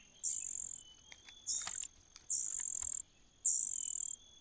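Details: Common cuckoo chick in a host nest, growing and gaining food advantages: four hissing, high-pitched begging bursts, each about half a second long, separated by short pauses.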